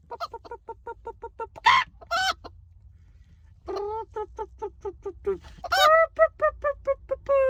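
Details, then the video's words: Chicken clucking loudly in quick, evenly spaced notes, about six per second, broken by two sharp, rising squawks before the steady clucks return and build into louder, higher cackling notes. "Loud chicken noises"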